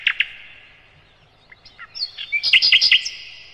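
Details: A flycatcher (called sikatan londo, said to be a nightingale) gives its loud song: two sharp opening chips, thin rising whistles, then a quick run of bright, high, ringing notes, used as a tutor song for other birds.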